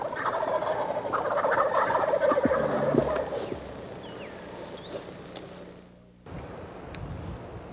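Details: Wild turkeys of a reintroduced population in Stephens State Forest, south-central Iowa, gobble in a loud, rapid, rattling burst over the first three seconds, then fade, leaving a quieter background with a few faint high bird notes.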